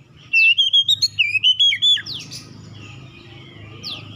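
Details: Magpie-robin singing as a lure to get rival birds going: a fast burst of bright, clipped whistles and slurs lasting under two seconds, followed by quiet faint whistling and a single downward sweep, over low background hum.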